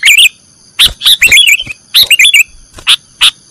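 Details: Training recording of a sooty-headed bulbul singing the 'nggaruda' style: short clusters of rolling, liquid notes, then single sharp chirps spaced about half a second apart, with a thin steady high hum behind.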